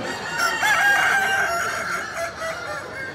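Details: Kukuak Balenggek rooster crowing at a crowing contest in Bukittinggi; a drawn-out, harmonic crow with several stepped segments, over crowd murmur.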